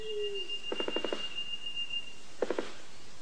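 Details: A male Black Sicklebill at his courtship display territory makes a non-vocal, dry rapid knocking, bill closed: about six quick knocks, then a burst of three, like a distant machine gun, with a thin steady whine over it.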